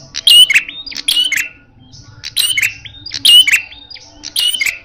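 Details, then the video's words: Red-headed prinia giving a loud, aggressive fighting-style song: harsh, high chirping bursts in quick clusters about every second, with sharp, scratchy notes between the louder phrases. "Burung prenjak kepala merah galak gaya tarung bagus"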